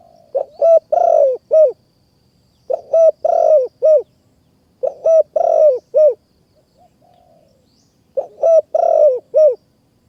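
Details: Spotted dove cooing near a high forest in Kanchanaburi, Thailand, in a decoy-trapping setting: low, mellow three-part coo phrases, two short notes then a longer rolling one, repeated about every two seconds against a quiet background.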